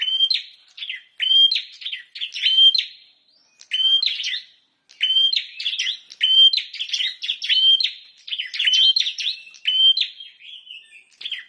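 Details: Bar-winged prinia in full, lively song, delivering clear, high, slightly metallic chirps in fast repeated groups separated by short pauses, each note ringing and bouncing, with no other sounds audible.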